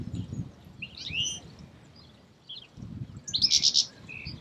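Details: European goldfinch in Escherange, France, in May 2016, singing bright, tinkling twitters in two quick bursts, with low background rumble.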